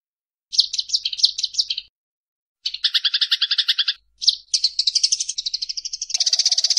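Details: Eurasian tree sparrow fighting chatter for training songbirds: a halting series of squeaky chirps, then a dense buzzy rattle, a single note, and an accelerating run of harsh high chips turning into a noisy, continuous scolding rattle.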